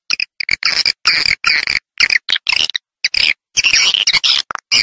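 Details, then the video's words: Swiftlets, Vietnamese sound: repeated short bursts of high, buzzy chattering twitter, each lasting under half a second, separated by sudden clean gaps. "SP SWALLOW Hay nhãt | VIETNAM SOUND"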